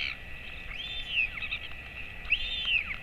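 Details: Royal albatross father feeding his chick at the colony, 11:35 am, 28 August 2024; two drawn-out rising-then-falling whistled calls with short chattering notes between, over faint wind.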